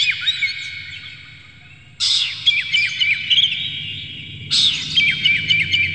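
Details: Oriental magpie-robin in an emotional, tail-spreading fluttering display, bursting into loud, busy phrases of clipped whistles and harsh chatter, separated by quieter stretches of thin warbling, over a low hum; aimed at provoking other magpie-robins to sing.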